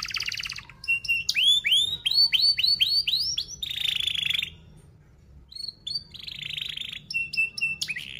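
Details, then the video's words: Lure song of a canary for teaching young birds: a buzzy trill, then a series of ringing upswept whistles, a harsh rolling burst, a short pause, and more metallic trills. "Kenari Gacor Paud SPEED RAPAT Cuit cuit Ngerol, Pancingan Kenari PAUD BELAJAR BUNYI"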